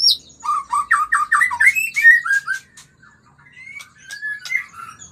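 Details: White-rumped shama singing to prompt mating: a quick burst of rising whistled notes repeated several times a second, then varied descending whistles fading into softer scattered phrases.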